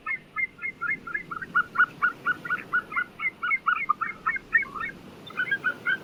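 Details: White-tailed eagle, the Eurasian sea eagle, giving a quick run of sharp yelping notes that rise and fall slightly in a continuous chattering series, with a brief break near the end.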